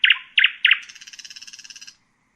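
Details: Common nightingale (Luscinia megarhynchos) gives three loud rich notes, then a quick buzzy rattle of about twenty pulses.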